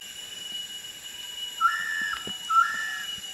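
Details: Bornean peacock-pheasant (Polyplectron schleiermacheri), a shy Borneo endemic at a feeding spot in Sabah, Malaysia, gives two drawn-out, flat whistled notes about a second apart, each stepping up from a brief lower tone, over a steady mechanical hum.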